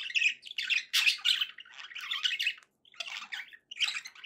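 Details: Happy budgerigars indoors: loud bursts of rasping warble and bright chirps, broken by two short silences.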